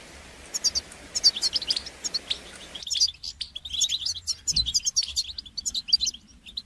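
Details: Goldfinch singing in a song-training recording: dense, fast twittering with sharp high chirps and jangling trills, over a hiss of background noise during the first few seconds.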